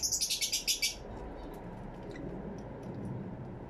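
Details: Fischer's lovebirds kept in an aviary, captured with a two-microphone camera setup: a quick burst of about eight harsh, high-pitched chirps in the first second, then near quiet with faint clicks and low room hum.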